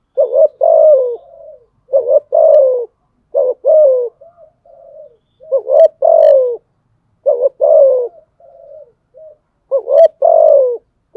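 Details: Challenging spotted dove in a steady run of fighting coos: each phrase a quick upward note, a longer hoarse falling coo, then soft murmured tail notes, repeated about every two seconds in a quiet setting.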